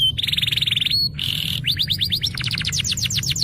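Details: Canary in full song, played to get silent canaries singing: a fast pulsing trill, a short buzzy note, then rising series of sweeping notes accelerating into a rapid rolling trill.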